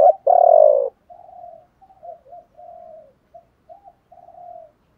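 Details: Spotted dove cooing meant to excite other doves into singing: a loud, sustained, slightly falling coo opens, followed by a run of softer, broken low coos.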